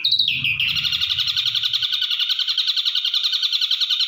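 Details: Ashy drongo, white-eyed grey form: a loud high note slides downward, then runs into a long, fast, even trill of pulsed buzzy notes, with a low rumble beneath during the first seconds.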